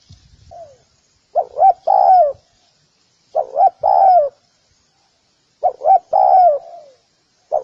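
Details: Spotted dove giving its cooing call. Phrases of two short rising-falling notes run into a longer downslurred coo, roughly every two seconds, three full phrases and a faint lead-in note. Nothing else audible.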